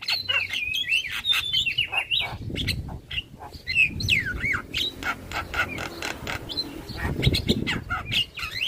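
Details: Javan myna singing as a lure meant to make all kinds of starlings respond. A busy stream of sliding whistles, rising and falling slurred notes and harsh clicks, with a low rumble underneath.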